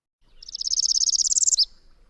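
Northern Parula giving a stuttering version of its buzzy song: about twenty quick, high, metallic notes over a second, ending in a sharp final flick.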